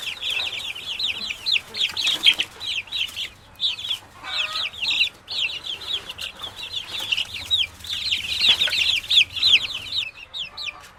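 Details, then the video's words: A henhouse full of chicks gives continuous shrill, downslurred peeps in dense overlapping bursts, rising and falling in loudness, with soft low rumbling in the background. "Efecto de Sonido de pollito en gallinero"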